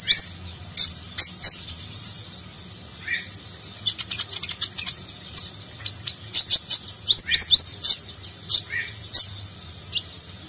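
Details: Gacor konin, a nectar-eating sunbird, in a luxurious Nagen-style song used to tutor competition birds: scattered very high chips, quick rising slurs and dense clicky bursts, some notes repeated in small clusters.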